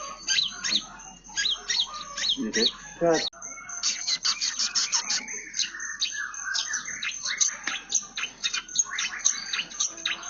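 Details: Energetic song of a long-tailed shrike mimicking house sparrows: bursts of quick chirps, a brief buzzy rattle, then a long run of chattering, twittering notes and slurred whistles with hardly any pause.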